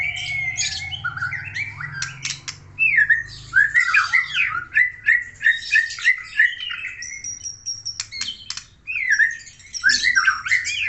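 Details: Aceh white-rumped shama in vigorous full song: a run of quick repeated whistled slurs at mid pitch, mixed with harsh chattering bursts, a thin high steady whistle, and sharp clicks; faint low hum in the background.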